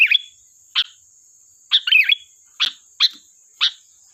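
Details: Sooty-headed bulbul used as a lure, uttering a rapid series of short sharp chirps and one warbled phrase, sharp notes spaced irregularly under a second apart, with a steady high-pitched whine behind.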